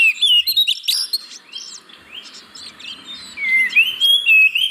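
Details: Oriental magpie-robin singing, recorded as a lure for caged birds reluctant to sing: harsh chattering bursts and sweet whistles at first, a subdued stretch, then rising and falling whistled phrases resume strongly.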